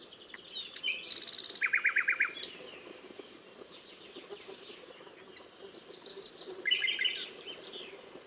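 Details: Nightingale song of varied phrases: a high buzzy rattle, a rapid string of clipped staccato notes, a pause, then a run of bright, descending whistled notes ending in a short chattering trill over low steady background noise.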